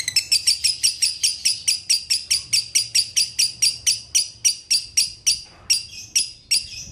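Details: Lovebird in dobelan style, called konslet: high chirps repeated briskly, about three to four a second, slowing and thinning into a few scattered notes near the end.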